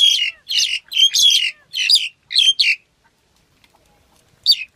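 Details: Black-collared starling giving a series of loud, harsh squawking notes with squeaky overtones, about seven in quick succession, then a pause and one more squawk.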